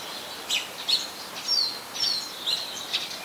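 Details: Oriental magpie-robin, a very common resident, recorded in Ubon Ratchathani, Thailand, on 24 December 2020 with a Nikon P1000: bright high whistles and sharp chirps, several sweeping down, about six quick phrases over faint background hiss.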